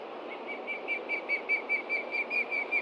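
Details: Osprey adult alerting over a Montana nest with chicks, 30 June 2013, late morning, threat below. A steady, slightly softer string of about thirteen whistled notes, evenly spaced.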